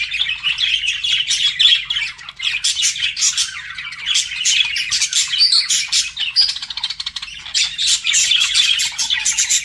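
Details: Budgies flirting in steady twittering warble, rapid clicks and whistled phrases overlapping continuously at an even loudness.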